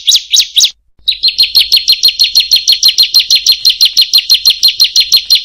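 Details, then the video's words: Bar-winged prinia giving a fast, high, chattering series of sharp notes, about four a second, running on steadily after a brief pause near the start; a training recording for birds reluctant to sing. "MASTERAN BURUNG CIBLEK/PRENJAK PALING MERDU DI KELASNYA"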